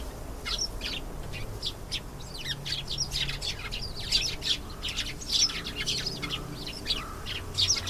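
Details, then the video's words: Canary singing: bursts of bright, high chirps and short rolling trills, broken by brief pauses, with a faint low hum underneath. "canary singing. beautiful canary sounds"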